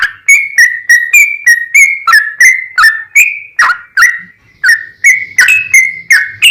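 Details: Yellow-vented bulbul in full voice giving a long rapid song meant to stir other bulbuls into singing; a rapid string of bright whistled notes with quick upward and downward slurs, broken by one brief silence midway.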